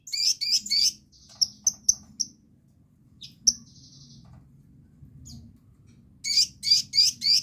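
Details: Sunbird song meant to stimulate other birds to sing: three harsh high chirps, then a few thin piping notes and a sustained whistle, ending in a further group of four loud rasping chirps.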